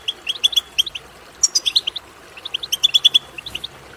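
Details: Goldfinch chatter, European goldfinch, used to excite goldfinches into singing: quick sparkling chirps in two busy bursts, with a sharp buzzy rasp between them.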